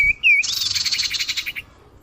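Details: Common iora lure sound: a brief level whistle and a short looping note, followed at once by a harsh, buzzy rattle of rapid pulses that fades after about a second.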